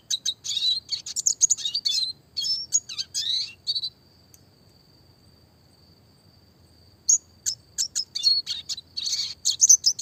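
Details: Classic red siskin singing in a 'roll tembak' (rolling, shooting) training style: bursts of high, rapid twittering notes, a three-second pause holding only a thin steady tone, then the quick chirping trills resume.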